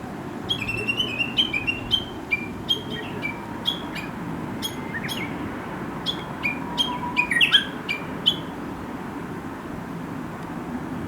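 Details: Chinese hwamei in the countryside, a wild bird that wakes the recordist every morning with chattering, talk-like song: crisp high notes, each dropping in pitch, delivered in quick uneven bursts over a low steady background hum.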